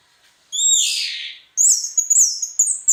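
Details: Orange-headed thrush singing gacor teler style for training caged birds: a long, buzzy, downslurred phrase, a short gap, then a high, thin whistle with quick flicks and twists.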